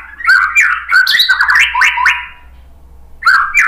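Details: White-rumped shama song used to stir other birds to sing: rapid, varied whistled and squeaky phrases for two seconds, a pause, then a fresh phrase begins.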